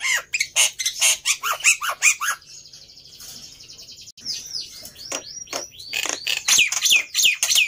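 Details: Black-winged myna singing to spur other birds into song: loud rapid harsh chirps, a short trilled buzzy passage, then repeated downward-curving whistled notes and renewed shrill chattering toward the end.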